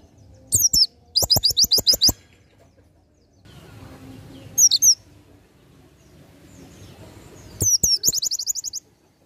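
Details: Oriental white-eye singing in the ngalas nembak style, meant as a tutor recording: high, sharp chirps at the start, then a rapid buzzy trill of repeated notes, a quiet gap with faint background rustle, and another chirp and trill burst.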